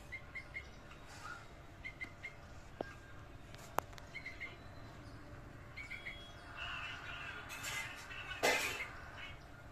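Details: A red-vented bulbul fledgling in Kakinada, on its first attempt at flying in a terrace garden, gives soft, high chirps in quick pairs and triplets every couple of seconds, with rustling, a few sharp knocks and a brief noisy burst near the end.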